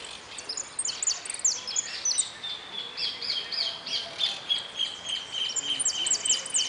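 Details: Contest goldfinch at the interclub cup closing, 04 03 18, singing a fast stream of high descending chips and twitters, with a steady thin whistle-like tone running underneath through most of the phrase.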